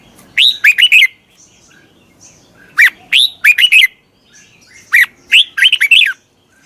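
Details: Red-whiskered bulbul call meant to draw in wild birds: three bursts of quick, bright, warbling notes, each about a second long, separated by roughly two-second pauses over a quiet background.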